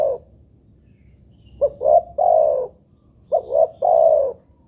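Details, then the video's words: Spotted dove (tekukur) playback call; deep soft coo phrases of two short rising notes and a longer sustained coo, two full phrases roughly two seconds apart. "pancingan burung tekukur buat derkuku agar bunyi"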